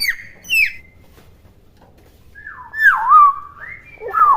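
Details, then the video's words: Young common hill myna, a captive chick still using its natural voice and not yet talking: loud whistled notes, some sliding sharply downward, others wavering and looping, in two bursts separated by a quiet pause. "BEO GACOR SUARA ASLI"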